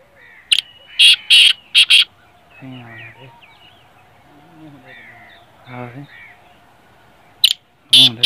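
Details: Black francolin calling loud harsh grating notes at the start and end, while in between other birds give nasal, harmonic-rich cackling calls and soft whistles.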